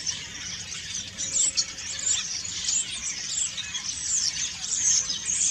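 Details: Common starlings in autumn, preening and singing a busy, unbroken medley of squeaks, gurgles and buzzy rattles, with repeated sharp high whistled accents throughout.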